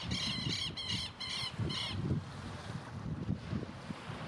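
A Magellanic penguin gives five harsh, nasal, braying notes in quick succession over about two seconds, then fades into a steady low rumble of wind or surf.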